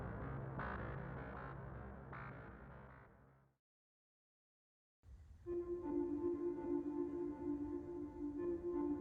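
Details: Synthesizer and keyboard music plays, falls silent for about a second and a half, then resumes with sustained droning tones and no animal voices.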